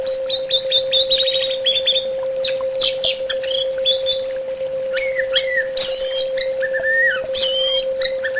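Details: Orange-headed thrush delivering a varied, fast song meant for bird therapy: rapid rattling notes at the start, then rich slurred whistles rising and falling, some wavering, over a continuous low hum.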